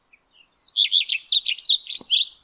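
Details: May 2022, male common redstart singing atop a spruce: a thin high starting note leads into a rapid run of swooping whistles, closing with a scratchy twitter.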